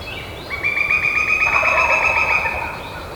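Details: A wild turkey in spring on Georgia public land gives a rapid, rattling gobble lasting about two seconds, a fast gurgling burst over quiet outdoor background noise.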